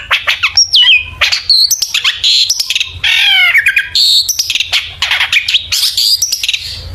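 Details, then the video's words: Long-tailed shrike delivering a rich 'isian' song, played as a lure to make shrikes sing: rapid ticking notes, looping whistles, a buzzy rasp near the middle, then a dense run of chirps and squeaks. "burung cendet gacor FULL ISIAN BONGKAR JITU, PANCINGAN CENDET AGAR BUNYI jadikan BURUNG PENTET GACOR"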